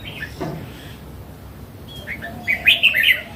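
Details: Mature wild Red-whiskered bulbul, red-cheeked, gives one quick bright warbled phrase of about five clipped notes near the end, after a faint earlier chirp, over soft background hiss.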